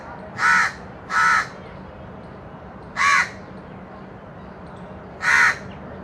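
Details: Crow eating baigun chop, giving loud harsh caws: a quick pair, then two more single caws spaced a couple of seconds apart, over a quiet steady background hum.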